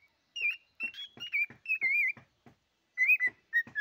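A cockatiel sings a run of clear, high whistled phrases, some warbling and rising, in quick bursts with short pauses between.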